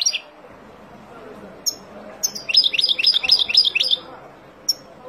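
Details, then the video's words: Wild European goldfinch singing, played for teaching young birds: a few isolated high chirps, then a fast run of about a dozen bright, liquid twittering notes lasting over a second, ending with a lone chirp over a quiet background. "اروع تغريد طائر الحسون البري لتعليم فراخ"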